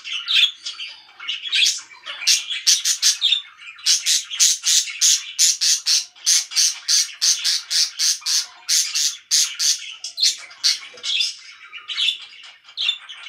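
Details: Very loud pet budgerigars give a long run of harsh, squawky notes repeated several times a second in a steady rhythm, then return to looser warbling chatter.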